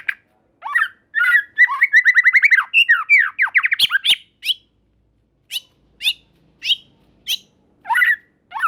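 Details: White-rumped shama singing to trigger responses from other shamas: varied whistles, then a fast rattling trill of rising slurred notes, followed by spaced harsh chirps about every half second.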